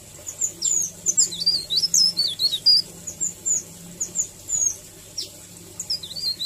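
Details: Leaf warbler in 'ngerol' song for a masteran recording: a continuous run of thin, high, twisting whistles and sharp chips, steady through the clip, with a low background hum.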